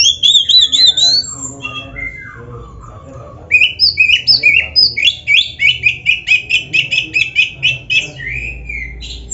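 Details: Oriental magpie-robin (black-breasted kacer) kept as an Indonesian songbird, in full rich song loaded with mimicry. A slurred high whistled phrase gives way after a short pause to a fast run of bright, repeated chirped notes, about four per second.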